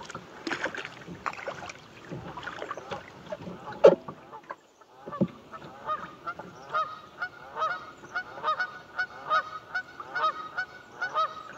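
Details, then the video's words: Canada geese on Buzzard Roost Creek, Alabama, calling loudly: a noisy, jumbled start with splashing and knocks, then a steady run of nasal honks about twice a second. ""Canadian Geese" mouth off"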